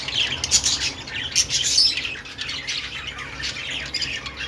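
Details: Budgie singing in a busy rush of high, scratchy chirps and sharp squeaks, bursts of louder notes around the first two seconds, over a faint low hum.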